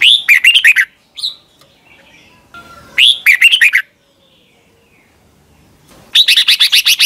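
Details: Thai Red-whiskered bulbul training song for caged birds: repeated short phrases of rapid, bright chirping whistles, three bursts with a brief single note between the first two.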